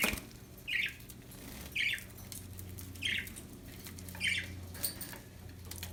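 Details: Happy pet budgerigars, short buzzy chirps repeated about every second, steady low room hum in the background.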